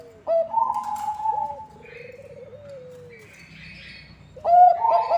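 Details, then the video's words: Zebra dove (perkutut), Bangkok type, song used to lure other zebra doves: bursts of rolling whistled coos at start and end, with softer descending coos between and faint chirps of other birds. "Bunyi Perkutut Bangkok ASLI Ampuh untuk Pancingan semua perkutut"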